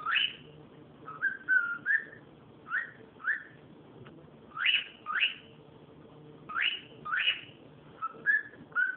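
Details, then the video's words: Cockatiel making noise: loud rising whistled calls mixed with shorter warbling whistles, often in pairs, almost continuous across the recording, with steady low hum behind. "calopsita fazendo barulho"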